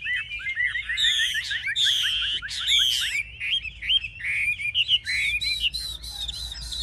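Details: Loud, varied song from a caged Chinese hwamei that fights fiercely, performing with wings held high and tail fanned: tumbling cascades of bright whistles, sharp upward and downward slurs, and quick repeated notes.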